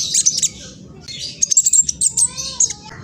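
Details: Phone recording from East Java, Indonesia, of a juvenile spotted black sunbird's quick, scratchy provocation song; high chattering bursts and sharp whistled flicks, with a faint lower whistle running underneath.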